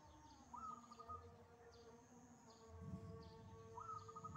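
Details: Wild zebra dove singing strongly: a cooing phrase swoops up and rolls into a trill, repeated after about three seconds, with softer lower notes between and a thin continuous high whine in the background.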